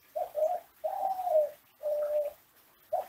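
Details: Kelantan classic ringneck dove from an Indonesian breeder, a master song for training other doves: short low coos then long smooth hummed coos separated by brief pauses, with a quiet room behind.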